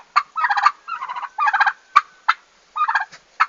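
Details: Newly arrived farm turkeys, recorded on 11 August 2015, their day of arrival, with short gurgling gobble bursts repeated at irregular intervals, plus sharp single clicks between them.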